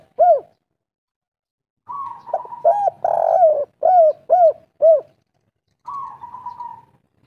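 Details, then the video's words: Local derkuku (spotted dove) singing 'kuk 3' style. One lone coo comes first, then a drawled note. A rhythmic run of five or six arched hollow coos follows, and a final flat fading note. "derkuku kuk3 lokal gacor ngamuk"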